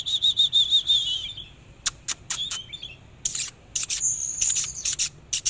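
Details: Displaying Oriental magpie-robin sings a fast series of repeated whistled notes, then sharp clicks and short slurred phrases, finishing with high thin whistles.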